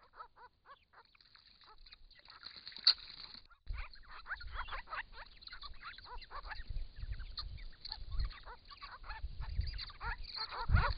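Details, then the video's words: Grey-crowned Babblers in a group of six, wild birds at a pond in regional Victoria, Australia, filmed by camera trap while bathing and calling to each other; quiet start, then a dense burst of overlapping squeaky chatter with splashing below. "Australian native Grey-crowned Babblers calling and bathing"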